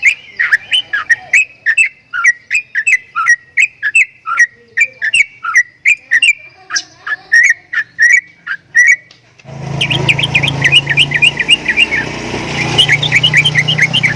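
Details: Javan myna (jalak kebo) making strange sounds: a quick run of clipped whistled notes and chatters for about nine seconds, then a loud low rumbling background noise sets in while higher chirps continue beneath it.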